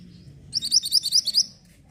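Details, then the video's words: Orange mantenan bird, song used for tutoring white-rumped shama: a lively string of about eight high, ringing, arched chirps over one second, over a soft low hum. "BURUNG MANTENAN ORANGE SEDANG BERKICAU,MASTERAN BAGUS UNTUK MURAI BATU."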